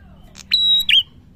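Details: A single song phrase from a vigorous male prinia: a brief soft note, a strong steady high whistle held for about a third of a second, ending in a bright downward flick.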